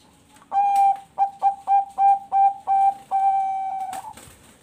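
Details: Zebra dove of the Bangkok type from a breeding farm in Bekasi, West Java, Indonesia, singing as a lure to prompt other doves. A long clear coo, then quick short coos, ending in one drawn-out steady coo; a sharp knock at the close.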